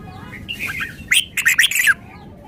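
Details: Brief snatch of red-whiskered bulbul song shown as part of its repertoire: soft slurred whistles, then a quick string of four or five loud, bright chirped notes, ending abruptly.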